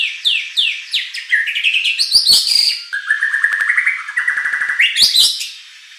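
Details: Fiery song of a white-rumped shama, played in Indonesia to rouse competition birds into replying: quick descending whistles, a burst of harsh high notes, then a long stuttering series of rapid clipped notes.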